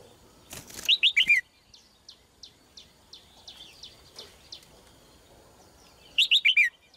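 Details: Female red-whiskered bulbul singing two quick phrases of four falling whistled notes several seconds apart, with a faint series of soft chirps from another bird in between.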